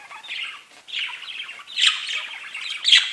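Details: Parakeets talking to each other: a steady run of scratchy chirps and warbled chatter, rising in bursts toward the end with two louder, shriller squawks.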